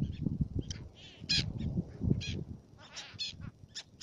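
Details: Black-naped terns, Fares, Baa Atoll, Maldives: a few harsh, buzzy high calls, some drawn out and ringing, others clipped, with a low rumble beneath.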